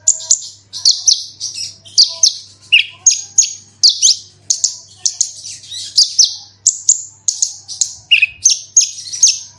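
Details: Steady branjangan 'gacor' song used to provoke singing: a long run of very high, sharp chirped and slurred notes at a brisk pace, occasional lower dips, and a low hum in the background.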